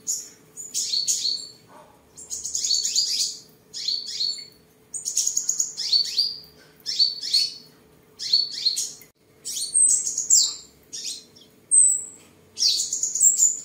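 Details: Tame seven-colour sunbird, kept at home in Tân Phú, Đồng Nai, Vietnam, recorded 23 July 2022 while singing, displaying and sparring: bursts of thin, very high descending sweeps and twittering trills, repeated in phrases about every second, with a steady low hum behind.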